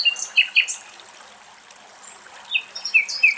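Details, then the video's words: Common nightingale song in Greek countryside, with sparse wind gusts: two short bursts of high, sweet whistles and quick buzzy slurred notes, separated by a second-long pause, over faint background hiss. "Nightingales song"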